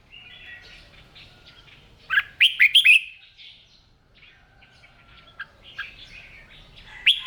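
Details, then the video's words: Morning singing practice by a trained red-whiskered bulbul; after soft chatter, a loud run of quick whistled, slurred notes rises and falls, then scattered softer notes follow and a sharp note ends it. "Tiếng Chim Chào Mào Hót"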